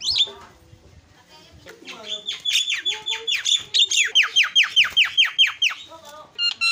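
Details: Starling kept as a lure to provoke other birds into calling, delivering a fast series of loud downslurred whistles, about two per second, after softer scratchy notes, with sharp chips at the end.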